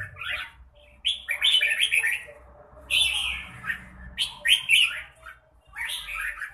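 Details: Red-whiskered bulbul song made of lively, slurred whistled phrases, some sweeping downward, repeated after short gaps, over a quiet low rumble.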